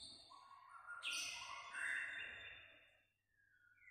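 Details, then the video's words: White-rumped shama in fired-up condition, singing almost all day in many voices; long clear whistled notes sliding upward and holding, overlapping with brighter high notes, fading after three seconds before a short high whistle, over a faint low hum. "chòe lửa sẻ hót cả ngày"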